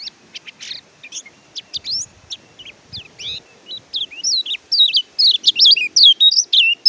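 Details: Oriental white-eye song, called kecial kuning or pleci, meant to prompt quiet birds to sing: quick high chirps and wavering whistles that quicken into a loud dense stream of twisting notes.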